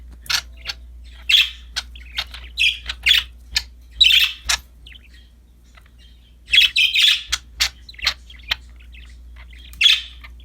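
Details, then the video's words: Happy budgies playing with a new toy make bright, clipped chirps and ticks, some in rapid doubled bursts, spaced irregularly around 21 per minute, with a long quieter gap midway. "Happy budgies chirping for lonely birds, singing, playing with a new toy"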